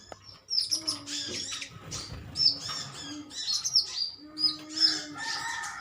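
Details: Nectar-eating sunbirds with a metallic green sheen, a colony in vocal contest: sharp high chirps in quick runs, over a low steady hum and faint lower whistles.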